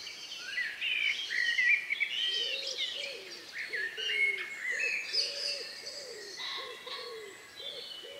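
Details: Evening countryside birdsong just before nightfall, 2 May 2020 near 9 p.m., captured outdoors with ORTF Neumann KM184 microphones and a MixPre-3 recorder: several birds warble and whistle in overlapping high phrases over a steady low pulsing background.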